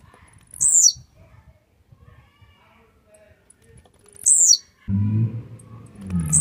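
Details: Blue-black grassquit, said to be warmed up and grumpy, gives two high, buzzy, falling song bursts about three and a half seconds apart, followed by a loud low rumbling noise near the end.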